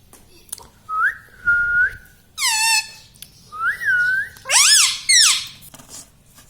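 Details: Pet parrot talking, said to say "mummy papa": a series of short voiced phrases, some level and whistle-like, others swooping and rich in harmonics, about six bursts in under six seconds, in a quiet indoor setting.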